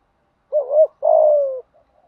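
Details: Spotted dove giving a fighting challenge coo, used to train decoy birds to sing back: a single low hooting phrase, a short wavering double note followed by a longer steady coo that slides slightly downward, in a quiet setting.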